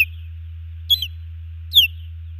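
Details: Nest-cam sound from Hellgate Canyon, Missoula, Montana, 15 June 2019: a female osprey gives two piercing descending chirps, the second louder, while the male defends the nest from an intruding osprey; low hum underneath.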